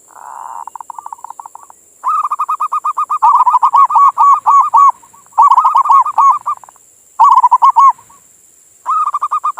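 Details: Local perkutut, a zebra dove, in manggung song used to stimulate other doves morning and evening: a soft coo then long bursts of fast, regular, slightly rising staccato notes, about four per second, in several bouts with brief pauses.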